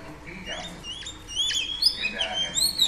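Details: Female Oriental Magpie Robin singing to excite males: quiet at first, then sweet high whistled notes, rising and falling slurs in an irregular run, growing louder in the second half.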